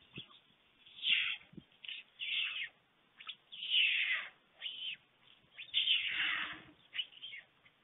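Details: Webcam at a white stork nest in Fohrde, Germany, 21 July 2019, as the adult male delivers lunch to two storklets: a string of short, thin, squealing high calls in uneven bursts, with quiet gaps between.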